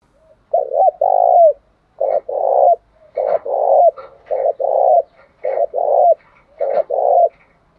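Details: Spotted dove, a ground dove, cooing as a lure to provoke rival doves to fight; short two-note stuttered coos each followed by a longer drawn-out coo, phrases repeated steadily about every second, clean with no other sounds.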